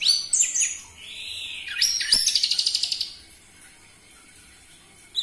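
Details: Orange-headed thrush, played as a lure to get other captive birds singing, with a loud voice: high, buzzy trilled phrases and sweeping whistles, then a fast run of rapid repeated notes near the middle, ending in a brief chirp.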